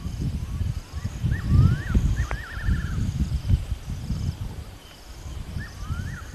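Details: A fiery-necked nightjar calls at sunset by a waterhole at Rietspruit Game Reserve, Lowveld, South Africa, 20 March 2024: soft falling whistles running into a quavering trill, then one more falling whistle, over a steady low rumble.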